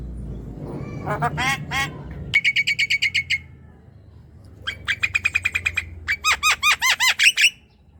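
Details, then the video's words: Song of a Javan myna, played to stimulate a silent young bird: after a noisy start come rapid trains of sharp, evenly repeated chattering notes, then a series of louder arched, buzzy calls repeated about every quarter second. "Jalak kebo muda yang diam dan malas bunyi pancing dengan ini ~ jalak kebo gacor"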